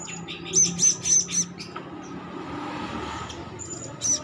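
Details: Hand-fed young blue-crowned hanging parrot calling: four thin, very high chirps in quick succession, then a pause and one more, over low background rumble and noise.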